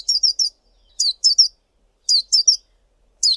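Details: A male collared sunbird calling: high, thin chipping notes in quick bursts of two or three, repeated about every second against a quiet background.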